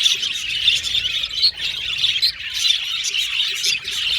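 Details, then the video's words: Several budgerigars communicating with each other, rapid high chirps and warbles overlapping in a constant chorus with short louder accents. "Budgies Chirping Sound"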